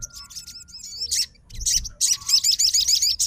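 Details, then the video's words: Fighter crimson sunbird responding to a rival's song, giving high thin notes followed by a quick trill of repeated curled notes, brief and shrill. "SOGON FIGHTER LANGSUNG RESPON DENGAR SUARA SOGON GACOR"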